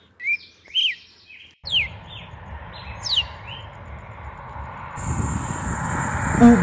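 Red-cowled Cardinal giving short, clear whistled notes, several sharply down-slurred, in quick phrases; steady background hiss and a thin high tone join near the end.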